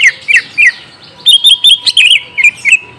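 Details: Lure song of greater green leafbird, meant to make a young bird answer at once: rapid, bright downslurred chirps, three spaced notes, then a quicker string of squeaky twittering notes.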